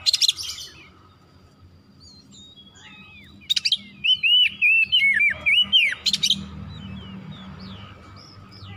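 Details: Oriental magpie-robin (kacer) song used as therapy to stir other kacer into lively, full singing: a fast run of clear whistled slurred notes, rising and falling, with brief buzzy bursts before and after and a steady faint hum beneath.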